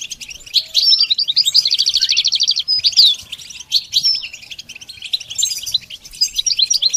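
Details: Singing goldfinch from beginner song-training material: a steady fast buzzing trill of evenly repeated notes, then a rising whistled slur and looser tinkling chirps.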